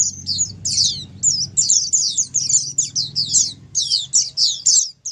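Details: Oriental white-eyes calling as a group, ombyokan style, played to stir silent white-eyes into replying. Bright, high-pitched chirps tumble in quick overlapping bursts, separated by short gaps, above a soft low rumble.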